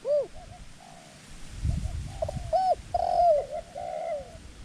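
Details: Decoy dove calling to lure wild doves: clear, ringing, arched coos at mid pitch, some sliding down, given in uneven bursts. Low rustling and a faint murmur sit underneath.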